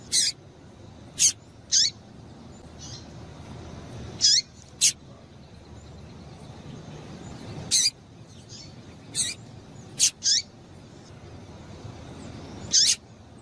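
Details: Calling to stir males into song, a female double-collared seedeater gives a long irregular series of piercing, very short high chips, some doubled, with gaps of half a second to two seconds and soft hiss between.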